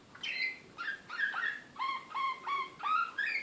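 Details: Serbian Slavujar canary, Belgrade 2016, described as excited, giving separate clear whistled notes, some rising and some falling, spaced by short pauses, in a slower, nightingale-like style.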